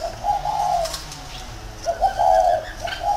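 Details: Caged decoy spotted dove in a round cage in Vietnam giving two soft, low, hollow coos separated by a quiet gap.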